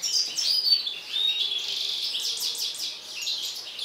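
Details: Mutant European goldfinch in an agitated state sings a rapid, high twittering run of bright chirps and buzzy trills, notes tumbling quickly with little pause and no other sounds clear.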